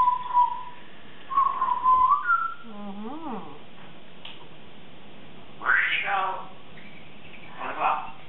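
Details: A 3.5-year-old female Congo African grey parrot, chattering and practicing words at the start of her morning. Clear whistled notes come first, then a warbling up-and-down phrase, followed by louder, harsh, wavering calls separated by pauses.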